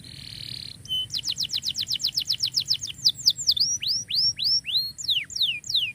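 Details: Canary singing, meant to train canaries that have stopped singing: a brief buzzy note, then a rapid series of sharp repeated chips, followed by longer slurred whistles sweeping downward, about one and a half per second.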